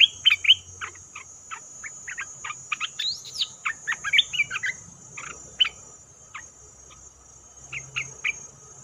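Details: Bulbul call used as a trapping lure: scattered sharp, clipped chirps, irregular and about two a second, fading to a few isolated notes toward the end.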